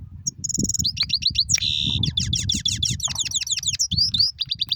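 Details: Rolling song of a European goldfinch: quick liquid twitters, a drawn-out buzzy wheeze near the middle, then a run of rapid sliding chirps, with faint low thumps and rumbling behind.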